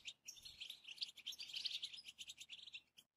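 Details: A European goldfinch gives its mating song: a rapid, tinkling twitter of high liquid notes and buzzy trills, running without a break for about three seconds.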